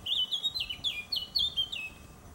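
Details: Eurasian blackcap singing in a garden: a string of clear, fluted whistles, each note slurring downward, delivered in quick rich phrases with short gaps, loud and close against quiet background.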